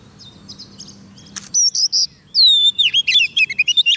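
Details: White-rumped shama singing to lure wild birds: faint chips over a low hum at first, then loud, clear, swooping whistles and quick varied notes in a fast run.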